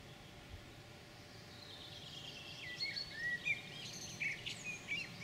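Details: European pied flycatcher (kirjosieppo) singing on 9 June 2019, excerpt edited from a roughly 30-minute recording; quiet high varied notes, short sweeps and chirps, start after about three seconds and come in a rapid, irregular phrase over faint steady background hiss.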